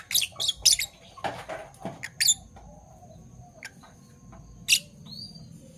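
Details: Two Fischer's lovebirds, parblue violet and parblue turquoise mutations, in the morning; a quick burst of sharp high chirps at the start, a few scattered clicks, then one last loud chirp after a short lull.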